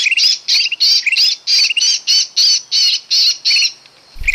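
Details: Sooty-headed bulbul lure call for trapping: evenly spaced harsh, buzzy squawks about three per second, ending in a short quiet gap and a final chirp with a low thump.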